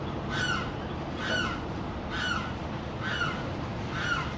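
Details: A neighbourhood egret, noisy almost every day, calls in the morning: five harsh, hoarse squawks, about one a second, over a steady low rumble of background noise.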